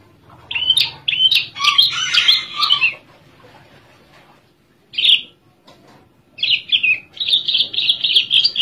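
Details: Caged Java Oriental skylark in relaxed song: a dense tumble of sharp chirps and trills, a long pause, one lone note, then a fast run of evenly repeated bright chips.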